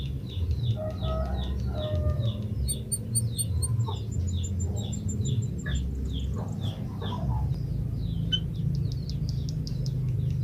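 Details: Java sparrow, a bird able to give long whistles, singing: rapid series of sharp high chips with short clear whistled notes in between, then a fast clicking run near the end; steady low background hum.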